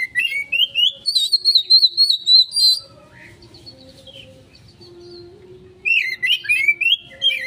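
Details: Kacer, the Oriental magpie-robin, in a 'konslet' lure song for quick response: rising whistles leading into a long, high, wavering phrase, about three seconds of near quiet, then another loud climbing warbled run.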